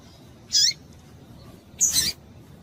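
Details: Breeding-condition female double-collared seedeater giving two brief, bright high chips about a second apart, calling to stir males, with a quiet background.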